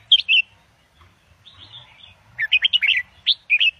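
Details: Caged red-whiskered bulbul in Indo double style, used for teaching chicks and rousing other birds: two short whistles, a faint warble, then a quick chattering run of bright up-and-down notes ending in paired whistles.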